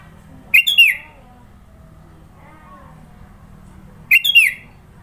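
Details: Sooty-headed bulbul in Sidoarjo, East Java, delivering its varied fill-in song: a brisk three-note whistled phrase, a pause of several seconds with faint low murmurs, then the same bright, bubbly phrase repeated.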